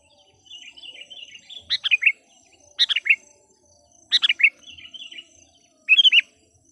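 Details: Trained decoy sooty-headed bulbul calling wild bulbuls with lively song: soft chattering warbles leading into loud bursts of three to four liquid whistled notes, repeated about every second, with a faint steady high tone.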